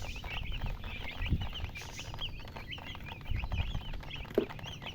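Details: Baby chicks peep in a steady stream of short, high, curved chirps, roughly several per second, with occasional louder low thumps and knocks in the background.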